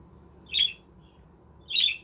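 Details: Captive budgies in a self-made aviary: two short, hoarse, scratchy squawks roughly a second apart over a quiet low background hum.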